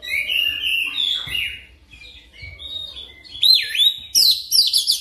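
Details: Oriental magpie-robin singing a training lure song for quick rolling phrases. Mellow warbled whistles with faint knocks below, then a loud looping whistle and rapid high chattering bursts close the passage.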